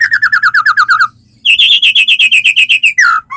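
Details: Singing white-rumped shama, played to prompt other shamas to start singing: a rapid series of about twelve clipped repeated notes, a brief pause, then a higher fast-repeated trill run ending in a downslurred note; faint low hum beneath.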